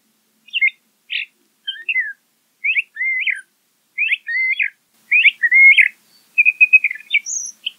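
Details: LeConte's thrasher singing a varied series of short phrases: clipped chirps, warbled notes and slurred whistles, mostly mid-high pitched, delivered in bursts separated by brief pauses, including a buzzy trill near the end, clean background.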